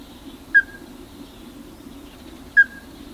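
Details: A ruddy-breasted crake, heard but not seen, recorded 12 April 2021, gives two short, hard, mid-pitched notes about two seconds apart over a steady low hum.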